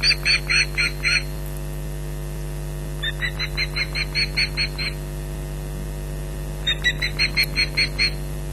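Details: Ospreys defending a Loch Garten nest from an intruder in July 2011 give three separate bouts of rapid, piercing yelping calls with quiet gaps between, steady hum throughout.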